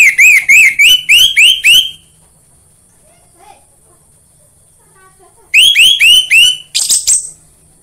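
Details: Orange-headed thrush song played as a lure to get other orange-headed thrushes singing: a steady series of about seven loud, clear whistled notes, each arching up then down, repeated in a second burst after a pause.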